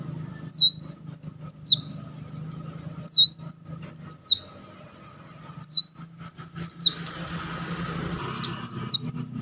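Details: Kolibri Wulung sunbird giving crecetan, rapid-fire chattering bursts kept as a master song for training competition birds: three high, sweeping, twittering phrases, each about a second long, spaced roughly two and a half seconds apart, with a fainter burst at the end.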